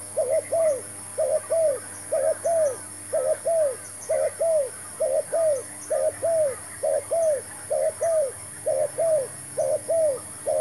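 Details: Cooing spotted dove, a fresh decoy taken out to try a new trap for catching wild doves: evenly spaced doubled coos, low and smooth, about twelve pairs with a steady beat and faint chirping in the background.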